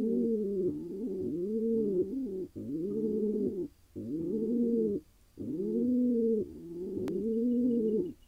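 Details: Male wild pigeon in Israel cooing after gaining a mate: a string of deep, rolling coos in pulsing phrases with brief gaps, repeated about every second, one sharp click near the end.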